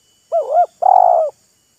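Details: Close spotted dove call during a contest between a decoy bird and a wild bird: a loud wavering double coo, then a longer, slightly buzzy, sustained coo, clear against a quiet background.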